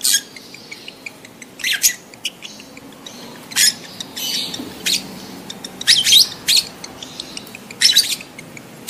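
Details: Adult lovebird in breeding condition giving its mating call, used to stimulate other lovebirds to mate: about eight short, harsh, shrill chirping bursts at irregular intervals, with quiet background between calls.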